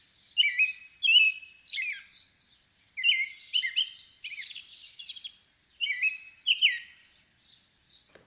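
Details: A robin sings clear, varied phrases of high whistled and warbled notes in bursts of about a second, separated by short pauses, typical of early morning singing; the background is quiet.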